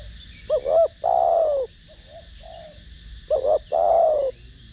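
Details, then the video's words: Thổ Đồng voiced spotted dove cooing to stimulate and lure other doves: two loud phrases, each a quick doubled note and a long slurred coo, with quieter distant coos between them. "Cu gáy Gù,Thúc giọng THỔ ĐỒNG kích mồi tập bổi rất hiệu quả"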